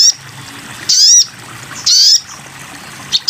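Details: Sogon bird song used as a master recording for training songbirds: three loud, high, buzzy sweeping notes spaced about a second apart, with faint low background hum between them.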